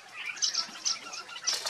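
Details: Indian silverbill, also called white-throated munia, recorded at Hampi, Karnataka, India in November 2023; thin, high chipping notes come in short bursts, about five within two seconds, over a soft background hiss.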